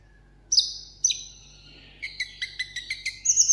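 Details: Caged sunbird kept as a tabletop singing bird in Vietnam, performing solo in a singing contest: high thin whistled notes descending, then a rapid series of sharp sweeping chirps rising toward the end.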